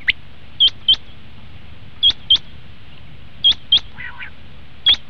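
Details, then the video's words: Common quail calling, a sound used by hunters as a lure: clean pairs of sharp high notes, repeated at an even pace about every one and a half seconds, over a low background hum. "batair ki awaz"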